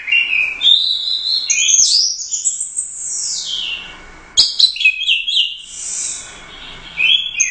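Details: Orange-headed thrush, a first-place Royal Cup competition bird, delivering gacor teler doyong style song: a continuous, rich, high warble of sweeping slurred whistles and rapid varied phrases, one long arching note, with brief pauses between bursts.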